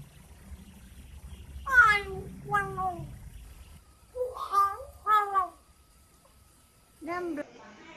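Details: Chiang Mai common hill myna, a skilled talker from northern Thailand, speaking blessings to relatives; several separate voice-like syllables with downward-sliding harmonics, grouped in pairs, then a final short word after a pause.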